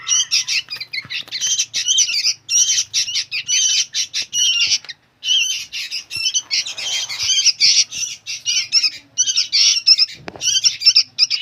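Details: Noisy young sooty-headed bulbuls keep up long runs of grating, buzzy squawks, broken by a short silence midway, then resuming with rapid chattering bursts.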